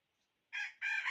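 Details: Decoy rooster used for trapping wild fowl, recorded 6/1/2021, crowing: after half a second of quiet, two short harsh, harmonic-rich bursts separated by a brief gap. The second burst is louder and runs to the end.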